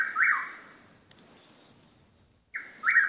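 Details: Bird heard nightly around 2 AM, thought to be a mockingbird: a single rough buzzy note, a long pause with a steady high hum, then two more buzzy notes.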